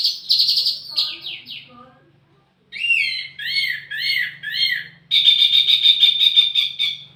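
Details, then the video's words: Wambi mini song used as lure and tutor audio for tledekan birds: high buzzy trills, a pause, then a series of rising slurred notes and a rapid even trill, over a faint low hum. "wambi mini burung pancingan sekaligus masteran buat tledekan anda"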